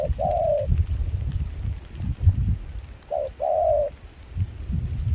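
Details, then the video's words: Two soft two-note coos, a clipped hoot followed by a longer level one, from a wild-caught decoy Spotted dove of mixed foreign voice, recorded in Kon Tum, Vietnam, during rain and chilly wind; low rumbling noise fills the gaps. "Gác cu khi trời mưa gió se lạnh.bổi giọng pha nước ngoài chơi tốt."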